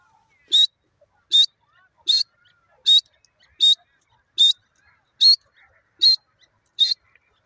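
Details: Grey francolin calling: a steady series of eight loud, short, high notes, each with a slightly rising whistled core, repeated about every 0.8 seconds against a quiet background.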